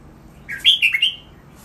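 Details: Red-whiskered bulbul kept in a cage, singing a training phrase: a slurred rising start followed by three punchy, bright, warbling notes lasting under a second, over faint room hiss.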